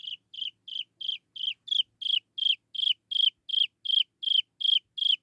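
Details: A young Chinese francolin chick calls to lure its mother with an even, insistent string of shrill peeps, each note short and falling slightly, repeated roughly every third of a second with no other sounds.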